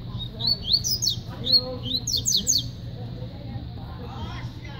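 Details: Double-collared seedeater (coleiro) from Paraíba singing: rapid series of high, sharp, slurred notes rising and falling, in bursts between short pauses, over a steady low hum with faint other sounds.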